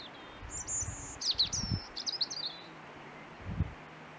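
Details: European robin singing on a hike at the forest edge; thin, high, clear whistled phrases and quick twittering notes, with rustling and low handling thumps nearby.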